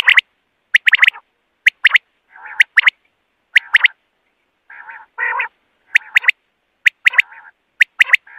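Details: Common quail voice for night: bright clipped whistles in short triplet bursts, roughly once every second, separated by lower, rougher nasal phrases. No other animals, voices or background noise stand out.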